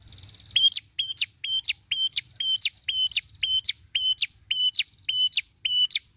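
A prinia repeats a sharp, high chip-like note with an upward flick about twice a second, a dozen times in a steady series.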